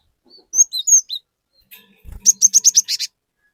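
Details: Cinereous tit in lively song, meant to prompt other tits to join in: a few clear whistled notes, then a quick run of about six buzzy, repeated high notes in rapid succession.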